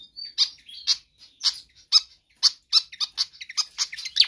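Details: Pied fantail, vigorous singing meant as a lure or tutor recording: a thin whistle followed by crisp, high chip notes repeated about twice a second, quickening toward the end.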